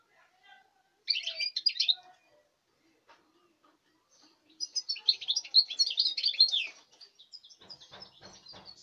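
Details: European goldfinch from this season's breeding, 5 August 2019, singing a short twittering phrase, then a longer rich burst of tinkling, buzzy notes, followed by soft rhythmic tapping noises.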